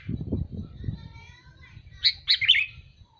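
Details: Sooty-headed bulbul calling: after a second of low muffled thumping and background rumble, three quick bright chirps follow one another near the end.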